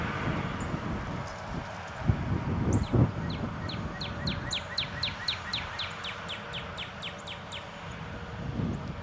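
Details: A shy male northern cardinal that has stayed around a house since winter sings a fast series of about twenty clear, downslurred whistled notes, several per second, over a steady low rumble of traffic.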